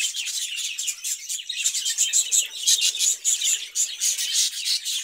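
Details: Budgerigars in a cage chatter steadily, with a run of clear, high, tonal pips repeated about twice per second over a bed of busy, scratchy twitters.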